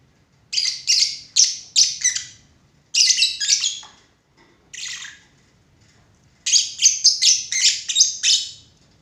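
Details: Lovebird giving loud, shrill chirps in rapid bursts of about five notes each, with a short pause between bursts and a single isolated chirp in between; a faint low background hum underneath.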